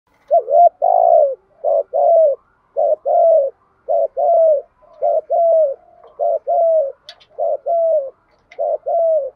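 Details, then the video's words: Spotted dove cooing to call and challenge rivals to fight: about a dozen loud, low mid-pitched coo phrases, each a short double note then a longer falling note, repeated roughly every 0.7 seconds in a steady run, quiet background. "cu gáy kích bổi nhanh nổi gù, tiếng gáy gọi và thúc đấu hàng cực đỉnh"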